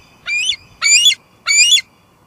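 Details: Female bald eagle calling at her nest at Two Harbors on a July 2022 evening, recorded by live nest cam: three short, harsh, harmonic squeals about half a second apart, with a steady low electrical hum behind.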